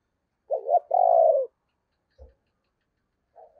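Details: Spotted dove decoy bird with a 'thổ' voice style, giving a low, hoarse two-part coo: a short stuttered note, then a longer, slightly falling purr. A dull thump and a faint coo onset follow.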